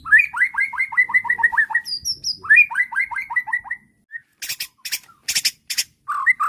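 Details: White-rumped shama song used as bait to provoke a response and a full repertoire: two runs of quick, repeated downslurred whistles, a high thin note between them, then harsh broadband bursts and a final slurred phrase.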